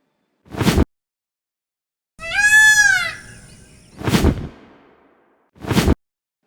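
A peacock gives one loud, nasal, wailing cry that rises and then falls, rich in harmonics and lasting under a second. Whooshing sound effects come before and after it.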